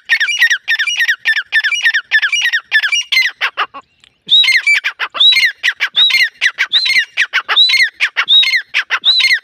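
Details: Grey francolin giving a loud, harsh, rhythmic call: rapid grating notes, a brief pause, then repeated phrases each opening with a high whistled arching note followed by raspy clucks, roughly every 0.7 seconds.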